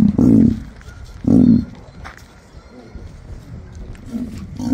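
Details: Low, resonant roaring calls from an emu: two strong throaty bursts about a second apart, followed by softer, shorter grunting pulses spaced a second or so apart.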